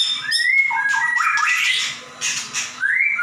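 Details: Lively 'gacor nembak' song of a white-rumped shama: clear upslurred whistles alternating with harsh, buzzy bursts, with short pauses between the phrases.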